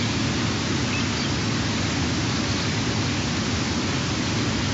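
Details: Only a dense, even hiss like heavy rain or rushing water is heard, with no animal voice.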